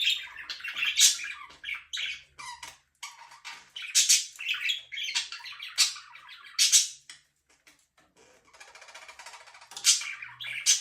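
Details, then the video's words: Pet budgerigar chattering with raspy squawks and piercing high chirps in irregular bursts, then a quieter scratchy rustle near the end. "budgies parrot chirping sound"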